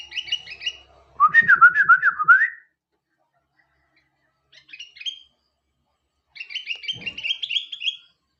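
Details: Sooty-headed bulbul singing actively in the morning: three bursts of bright, bubbly whistled notes, quickly rising and falling, each burst one to two seconds long and separated by short silent pauses, with a softer brief phrase between them.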